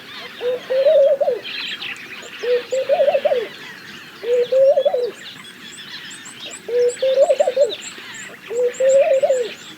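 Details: Laughing dove repeating a low, bubbly coo phrase five times, roughly every two seconds, each phrase a short run of wavering notes that rise slightly toward the end. Faint high-pitched chirping of other birds behind.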